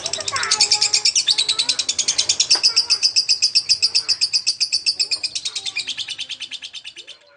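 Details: Lovebird singing strongly, recorded for teaching magpie-robins: a long, steady run of high, buzzy chattering pulses that gradually fades toward the end, with faint low sounds beneath.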